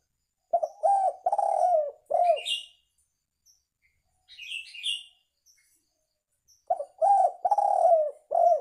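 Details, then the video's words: Tekukur, or spotted dove, recorded for luring birds: two phrases of low, rounded coos, each a quick pair, a long drawn note and a falling end note, with high twittering from small birds between. "Suara Tekukur Ampuh Untuk Pikat"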